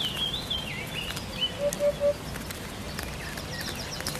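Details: Hoopoe, recorded as song-training material for cage birds, gives a soft three-note 'poo-poo-poo' in the middle. Before it, other birds give high, rising and falling whistled chirps, with scattered ticks and outdoor hiss.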